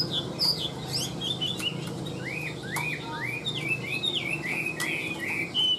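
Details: Chinese hwamei in a cage, 85% tame, singing a steady series of whistled upslurs and looping notes, broken by occasional sharp clicks, with a low hum underneath.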